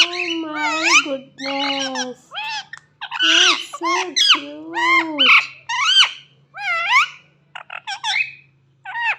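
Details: Parrot talking: rapid speech-like phrases of harmonic, gliding syllables, some low and drawn out, others high and bent upward, delivered in bursts with short gaps and a faint steady hum underneath.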